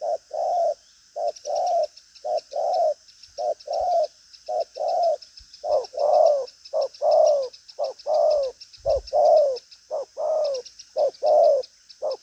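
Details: Spotted dove of the 'đồng pha chân cua' type with a strong coo, moving about busily and pressing out coos with a trailing note: short paired low coos, a clipped note then a longer falling one, repeated about once a second, over a steady high insect buzz.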